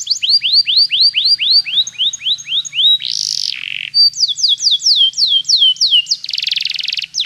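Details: Canary song used for training a canary to sing: rapid tours of repeated down-slurred whistled notes at high pitch, switching between note types, with a harsh buzzy trill and a rattling burst between tours.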